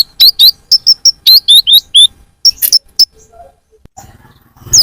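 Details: Sunbird lure sound for drawing in birds: fast sharp high chirps and down-slurred squeaky notes in a tumbling sequence, trailing off into a faint low rustle.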